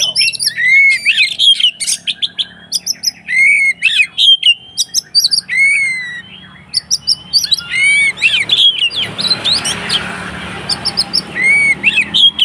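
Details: White-rumped shama fighting song used to provoke other shamas: rich whistled phrases with upslurred and downslurred notes and short trills, delivered in bursts with brief gaps, some rustling noise near the end.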